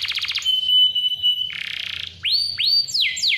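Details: Clear-voiced canary singing as a lure for young or quiet birds: a brief rattle, a long pure high whistle, a scratchy buzz, then several loud down-and-up swooping notes.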